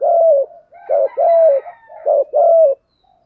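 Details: Spotted dove, male and female, cooing to lure and excite wild doves for trapping and training. Low mellow coos, some with a short rising lead-in, come in quick bursts of about five notes over three seconds. The background is quiet.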